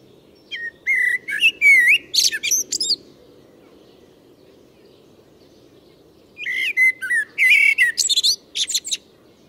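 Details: Common blackbird full song, recorded in a Moscow park in early spring: two rich, fluting phrases, each a mellow whistled opening followed by higher, squeaky twittering flourishes, separated by a few seconds of quiet; faint low background hum.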